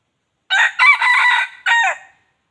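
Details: Wild junglefowl crowing to attract other junglefowl: a harsh, multi-part crow of four raspy segments over about a second and a half, the final note dropping in pitch, with no other sounds.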